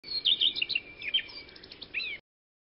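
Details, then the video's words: Common redstart giving a quick two-second run of high, thin chirps and twittering notes, ending in a short rising-falling flourish; nothing else is heard. "Common Redstart"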